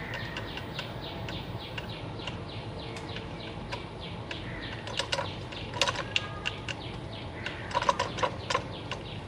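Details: Caged zebra finches, a pair with three juveniles and three newly hatched babies, while the parents busily feed their young; soft, nasal, rapid chirps repeat throughout, with sharp clicks and wing flutters growing louder in the second half.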